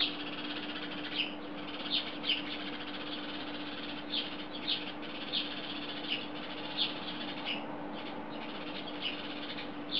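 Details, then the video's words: A chorus of house sparrows on a wire in Belgrade, Serbia, in July 2016, gives short, bright chirps scattered every half-second to second over a steady background hiss and a low mechanical hum. "Hor vrabaca (dzivdzana) na zici - Chorus of sparrows on wire"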